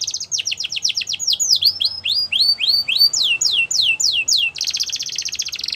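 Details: Powerful canary training song: long series of descending whistled sweeps that slow gradually, repeated about three per second, ending in a dense buzzy rolling trill.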